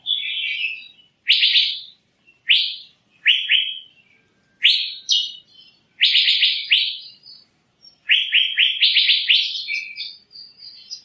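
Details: Asian fairy-bluebird with loud, liquid, falling notes given singly and in short rapid groups, separated by brief silences, ending in a fast run of about six notes.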